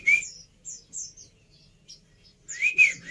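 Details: Javan pied starling song: sharp, high whistled phrases, the first a short rising-falling note, then scattered thin chirps and a loud double whistle that sweeps up and down at the end.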